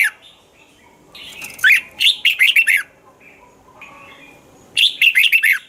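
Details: Red-whiskered bulbul in Thailand, song meant to stir caged birds: a lively string of five or six slurred, bouncing whistles, a pause with soft notes, then another fast phrase.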